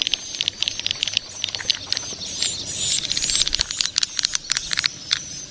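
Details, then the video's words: Young swiftlets give many quick high clicks and pips in irregular bursts. A brief buzzy twitter swells in the middle. "Suara walet ngeri sedap, Walet Remaja"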